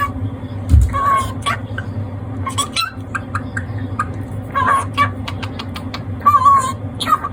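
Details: A one-year-old lutino cockatiel praises itself in mimicked human words with odd intonation, echoing its voice off a wall, with short whistled notes over a low indoor hum. It has been practising "oishii na".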